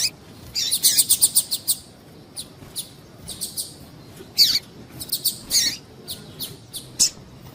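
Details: Female double-collared seedeater calling to stir up males for singing competitions; opens with a rapid run of about eight high ticking chirps, then scattered single chirps and small bursts.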